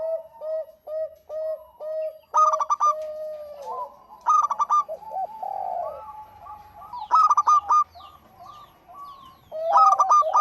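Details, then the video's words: Local zebra dove singing tirelessly to draw in other doves: opening string of short even coos, then four bursts of rapid clipped notes about two to three seconds apart, with rolling coos in between. "Suara Burung PERKUTUT LOKAL GACOR"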